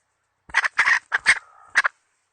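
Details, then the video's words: Hen chicken used as a trapping decoy, 2020 season, gives a rapid run of four loud, raspy clucks, a short thin drawn-out note, then one final clipped cluck. "Tiếng gà mồi mái mới nhất mùa 2020..suab poj qaib seev"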